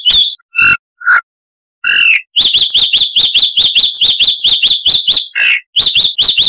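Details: Harsh-voiced chalk-browed mockingbird on a tutor recording for cage birds: a few scratchy calls and a gap, then a long rapid string of sharp, clipped, bright notes with one brief break.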